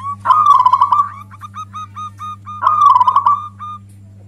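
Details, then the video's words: Loud song of a local zebra dove, used to provoke other doves and lure them: two bubbling trilled phrases separated by a string of short clipped coos, with a constant low electrical hum. "Suara perkutut lokal ini bikin marah perkutut yang lain cocok untuk pemancing"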